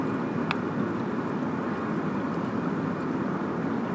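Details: Constant broadband rushing noise, like distant traffic or flowing water, broken only by a single sharp click near the start.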